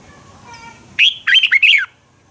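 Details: Red-whiskered bulbul morning song for training birds to sing in competition: a faint hum, then one loud phrase of slurred, bubbly whistled notes lasting under a second.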